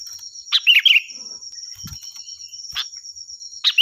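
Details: Sooty-headed bulbul, valued as a loud, clear tutor for other songbirds, sings a quick gurgling phrase followed by scattered sharp chips and a soft low knock, with insects droning steadily.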